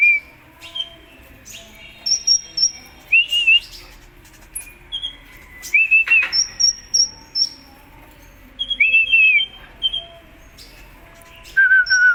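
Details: Contest-kept Kolibri Ninja sunbird in full song: thin sustained whistles and short wavering slurs at high pitch, separated by brief gaps, with faint clicks and knocks in the background.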